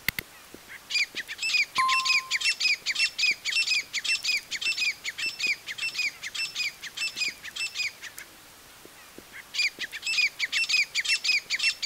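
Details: A female grey francolin gives loud, harsh, rapidly repeated notes in a steady rattling series, pauses, then starts again.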